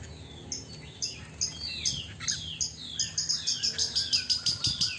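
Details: Tame caged Chinese hwamei, a bird that often bathes in its cage morning and evening, gives a series of short, clear, downward-sliding whistled notes that quicken into rapid repeated chirps toward the end.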